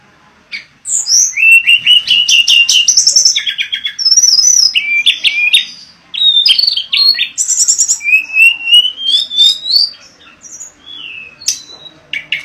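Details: A mangrove blue flycatcher sings continuously, weaving rapid buzzy trills, sharp chips and long rising whistled runs into a varied, energetic stream of notes.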